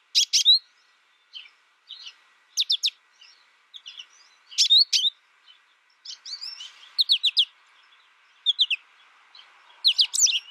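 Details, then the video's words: Scattered high sharp chips and short twittering phrases from an American goldfinch, spaced irregularly with pauses of a second or more between bursts. "American Goldfinch Sound"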